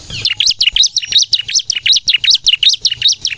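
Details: Rapid 'nembak' song of a bar-winged prinia, meant to lure birds and get untrained caged prinias singing: a steady string of piercing, upswept chirps, roughly two and a half per second, without pause.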